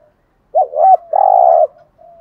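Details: Single 'gù thúc' phrase from a spotted dove, a cooing style meant to get decoy doves calling: a short bent coo, a held note, then a long, steady, low throaty hoot that fades into a soft trailing coo.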